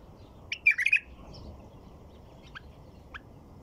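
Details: White-eared bulbul delivering a brief liquid phrase of four or five rapid notes, followed by two faint, short chirps a couple of seconds later.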